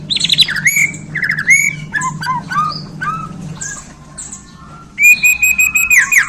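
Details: Bornean white-rumped shama, newly in its keeper's hands, pours out mixed phrases: harsh chattering notes, downslurred whistles, then a long sustained whistle, with a steady low hum underneath.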